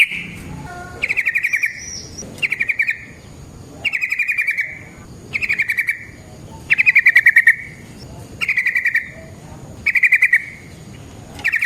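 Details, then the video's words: Yellow-vented bulbul sound used as a lure for trapping: clipped, rattling, slightly descending phrases repeated about every one and a half seconds, with quiet gaps between them. "Suara Burung Trucukan GACOR ROPEL Panjang Ampuh Untuk PANCINGAN TRUCUK Bahan dan PIKAT TRUCUK"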